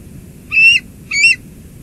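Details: Bald eagles at their nest at Two Harbors, filmed by live cam on 17 July 2022 as an adult delivers lunch to the eaglet: two high, thin, squealing notes with bright harmonics, each about a quarter second long, separated by a short pause, in quiet surroundings.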